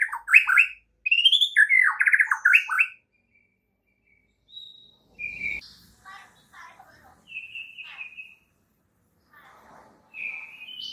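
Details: White-rumped shama morning training song meant to make other shamas sing: rich whistled and chattering phrases, a dense burst at the start, then scattered short whistles and notes with gaps of silence.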